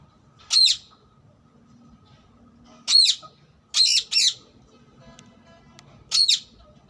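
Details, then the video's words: Wild rose-ringed parakeet calling with sharp, high, screechy squawks, single and doubled, spaced a second or more apart, over a quiet background. "Wild ring neck parrot chirping sound"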